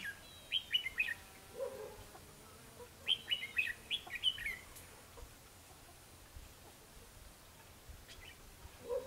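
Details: Red-whiskered bulbul fighting song at a trapping site with a lure bird: two bursts of sharp, descending whistled notes about three seconds apart, a soft low note between, then fainter calls.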